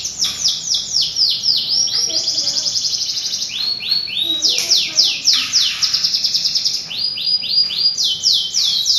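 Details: Canary song played to prompt singing: loud, fast series of downslurred whistled notes and rapid rolling trills, repeated several times a second in varied phrases.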